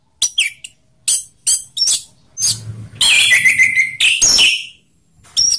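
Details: Orange-headed thrush singing in ngeplong style, a mix of rough and slow voices meant to provoke other thrushes into song; separate bright, high whistled phrases, then a dense, loud burst of rich warbled notes with a falling whistle.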